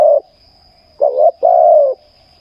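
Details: Spotted dove at a ground luring site gives a warm, low coo phrase: a short rolling double note, then a sustained, slightly dropping croon, following the tail of an earlier coo, over a steady faint whine.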